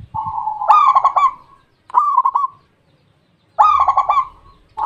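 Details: Local perkutut, the Zebra dove, singing in Indonesia: a soft lead-in coo, then stuttered beaded coos ending in a drawn-out note, three phrases about one and a half seconds apart.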